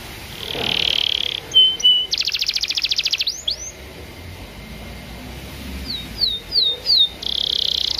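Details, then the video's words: Canary song used as a training recording to prompt other canaries to sing: a varied sequence of high trills, buzzy rapid pulses, a steady tone and upslurred whistled notes, over a steady background hiss. "PANCINGAN KENARI BAHAN ATAU OMBOYOKAN PALING AMPUH"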